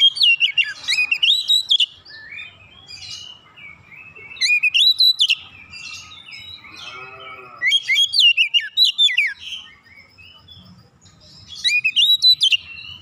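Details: Oriental magpie-robin pouring out song to excite other magpie-robins into singing. Energetic bursts of rich whistles and chattering notes repeat roughly every three to four seconds, with a brief low nasal sound in one gap.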